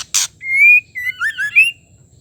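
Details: Female white-rumped shama call meant to provoke a male to sing: a harsh broadband rasp, then a long pure rising whistle, followed by a quick run of warbled, twisting whistled notes.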